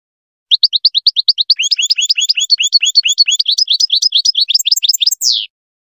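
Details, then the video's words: Goldfinch song for tutoring young birds: a row of crisp repeated chirps develops into fast tinkling twitters with overlapping high notes, ending in a rough descending buzz. "تحفيظ فراخ طائر الحسون التغريد"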